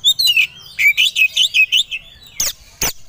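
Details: Aggressive song of a white-rumped shama (kacer), provoked and ready to fight: a quick series of descending whistled notes repeated rapidly, then two harsh broadband bursts.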